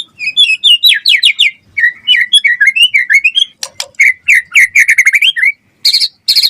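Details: Gacor White-rumped shama song meant to draw responses from other shamas: quick rising and falling whistled notes, rapid trills and harsh bursts packed into dense phrases, with a few high sharp notes near the end.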